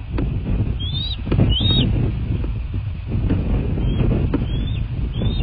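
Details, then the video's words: Bald eagles at a nest in southwest Florida, picked up by a nest camera late at night on 23 February 2024: thin, high whistled calls that slur upward then drop, repeated several times over a heavy rumble of wind noise. "Bald Eagles (Nest Cam)"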